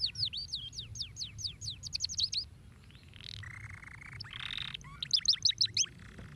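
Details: Canary singing to stimulate other canaries: rapid series of sharp, steeply sweeping high notes repeated several times a second, broken by buzzy lower rolls, over a steady low hum.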